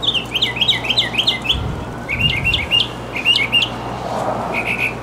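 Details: Mockingbird in full song, rattling off a rapid string of varied chirps and slurred whistles, with phrases repeated several times before switching to a new pattern; a brief low rumble sounds midway, with a faint background hum.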